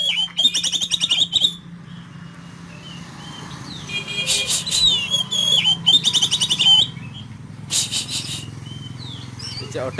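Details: Oriental magpie-robin rough fill-in song: bursts of rapid rattling, buzzy repeated notes with a whistle running through, separated by quieter gaps with steady low hum.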